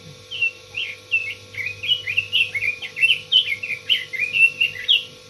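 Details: Red-billed leiothrix in continuous song, a rapid chain of bright, bouncing whistled notes that rise and dip, delivered about three per second without pause, with a faint background hum.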